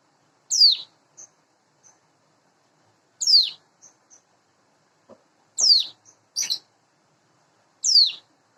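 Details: Caged, hand-reared Sunda bush warbler of roughly eight months singing in the morning, giving four loud high notes that drop steeply in pitch, spaced a couple of seconds apart, with tiny soft pips in between.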